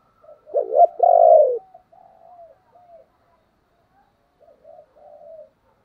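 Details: Spotted dove cooing, a recording played as a lure so wild doves coo back: a loud, low, hoarse double coo followed by a fuller drawn-out note, then softer fading coos trailing off over several seconds; otherwise quiet.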